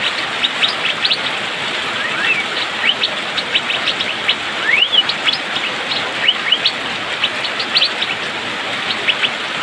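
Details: Asian fairy-bluebird singing in the rainy season in fast, dense style: a rapid stream of bright whistled upslurs and short rising notes, many overlapping, over a steady rain-like hiss throughout.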